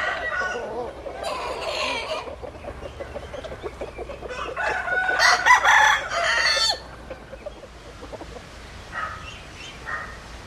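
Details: Chicken yard with clucking hens and a rooster's harsh crow in the middle, several overlapping calls, and quieter clucks trailing off afterward.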